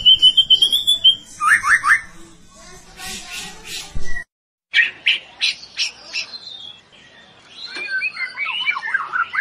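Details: Competition song of a white-rumped shama: a varied run of clear whistles, quick trilled bursts and scratchy notes, broken by a brief silence, then rich warbled phrases.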